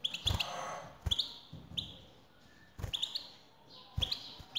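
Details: Male European goldfinch responding to a female's call: soft, high chirps and short twittered notes in small clusters, over low thuds and a background hum.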